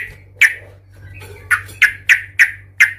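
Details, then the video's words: Sooty-headed bulbul in provoking fighting song: loud sharp chirps repeated roughly every third of a second, over a steady low hum. "Suara trucukan gacor Cuk cuk ngamuk Tarung Garuda - Ampuh untuk pancingan trucukan agar bunyi EMOSI"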